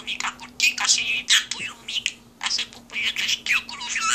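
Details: A parrot talking at a desk chatters in quick, raspy, high-pitched speech-like phrases, two bursts of about two seconds each, over a low steady electrical hum.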